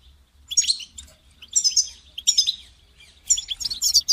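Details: European goldfinch song aimed at getting a caged goldfinch to sing; loud bursts of rich twittering with buzzy, jangling notes, four phrases in quick succession.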